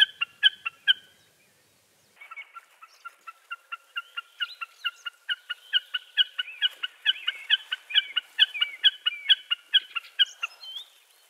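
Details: Common Snipe giving a few sharp ticking notes, then a short pause. A long, steady run of rhythmic two-part chipping calls follows, about two per second, growing louder before it stops.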